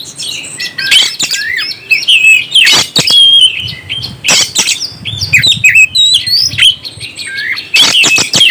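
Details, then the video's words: Oriental magpie-robin song played to raise the excitement of a kept bird: loud, varied whistled phrases, rising and falling, with sharp clear notes and quick trills, delivered in bursts with short pauses between them. "NAIKAN EMOSI BURUNG KACER ANDA"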